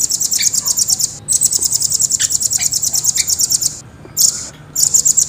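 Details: Rambatan, the velvet-fronted nuthatch, giving a long, clear rolling song: a sustained, very high, rapid trill broken by a short pause, then two more brief high trilled bursts.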